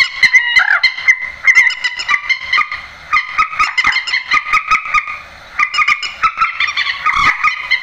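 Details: Harsh honking screeches of a grey-headed swamphen, played to draw birds into nets at night, come in rapid choppy runs of nasal notes with two brief pauses, dense and raucous throughout.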